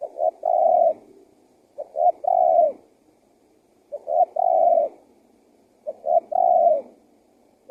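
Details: Spotted dove lure call to make wild doves come and call: four phrases of two quick coos and a long falling coo, spaced about two seconds apart, quiet background.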